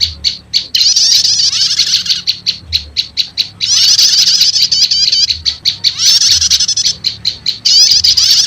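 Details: Prenjak lumut prinia call combined with prenjak setater as a trapping lure for wild prinias; quick series of sharp high chips, about three to four per second, between long buzzy chattering bursts.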